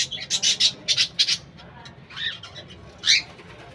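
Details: Budgerigars kept in a colony with birdhouses: quick series of high scratchy chirps in rapid bursts, then a pause and a couple of further warbled chirps, over steady background noise.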